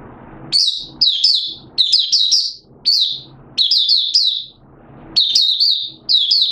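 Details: Buka sing song of a caged Malaysian Oriental white-eye in minor moult: a steady run of short, high, twittering phrases of two to four notes, roughly one phrase per second, with soft rustling underneath.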